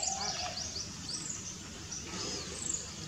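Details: Three Greater racket-tailed drongos trade high, thin metallic whistles and quick sweeping notes, overlapping, over a low steady background rumble.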